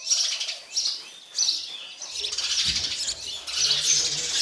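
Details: Baby sparrows fed by their parent: shrill high chirping bursts repeating irregularly, with a brief low rustle or thump midway.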